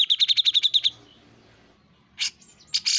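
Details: Grey-cheeked bulbul in full song on a master recording for training caged songbirds: a fast run of about nine identical sharp chips, a short lull, then loud scratchy bursts.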